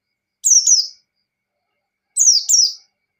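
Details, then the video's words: White-eye singing in ngalas style, used to provoke a rival: two high, bright phrases, each a pair of quick descending whistled slurs, about 1.7 seconds apart, otherwise silent. "Pleci Ngalas Standar Memancing Lawan"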